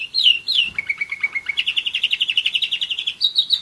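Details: Song of a one-year-old German Roller-split canary: a few falling whistles lead into a low sustained trill, then a faster rolling trill that climbs and ends in high bright notes.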